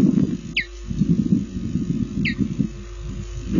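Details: Osprey at a nest in Lipka, Poland, on 25 June 2016 at 15:54, arriving with a fish for its chicks, filmed by a nest camera. Two brief, high descending whistled calls come about two seconds apart over loud, rumbling low noise.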